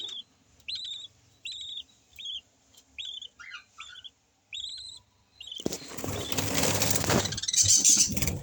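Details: Yellow-collared lovebirds, kept with a new baby chick: a series of short, high, clipped chirps about every half second, a few lower squeaks, then loud rustling and handling noise covering the rest.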